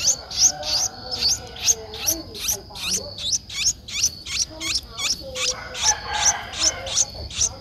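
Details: Streak-eared bulbul nestling, 11 days old, Ubon Ratchathani, Thailand, 13 April 2023; insistent high squeaky chirps repeated steadily about two to three per second, loud and continuous, over a faint constant hum.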